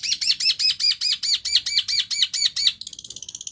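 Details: Long-tailed shrike imitating another bird's song as a lure for birds that have gone quiet: about fifteen arched, whistled high notes in steady sequence, then a quick run of fainter, thinner notes.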